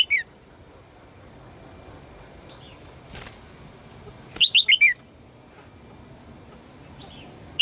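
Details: Female red-whiskered bulbul calling to attract a strong male: a single brisk burst of four bright, falling chirped notes mid-clip, with a faint steady high tone and soft background noise.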